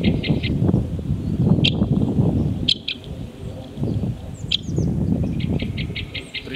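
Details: Great spotted woodpecker (Dendrocopos major), call.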